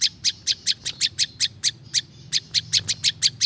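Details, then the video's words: Olive-backed Tailorbird, a natural recording for attracting wild birds, repeating sharp high chips at a brisk rate, one brief gap midway before the run continues; soft low rumble behind. "SUARA BURUNG PRINJAK LUMUT ||SUARA PRINJAK LUMUT SUARA ASLI ALAM"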